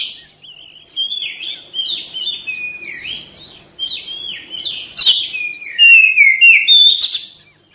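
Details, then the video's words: Oriental magpie-robin in full gacor song: repeated short swooping whistles that grow louder, ending in long clear slurred whistles and rapid chirps; a faint steady high tone runs throughout. "TERAPI KACER CEPAT RESPON GACOR BUKA EKOR"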